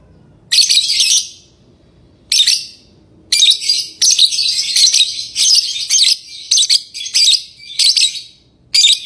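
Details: Lovebird chirping, harsh shrill bursts growing denser, a rapid chattering series of many short squeaky notes after a few spaced opening calls.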